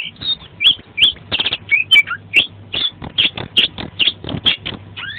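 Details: Kacer, the Oriental magpie-robin, in energetic 'gacor' song rich in 'isian' fills. Rapid series of bright whistled and chipping notes, about two or three per second, with occasional descending slurs, over a steady low background hum.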